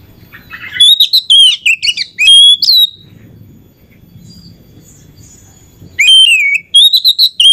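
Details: Oriental magpie-robin hen as a lure for raising rivals' excitement, pouring out fast whistled and chattering notes, falling silent for about three seconds, then resuming with a quick string of bright slurred whistles.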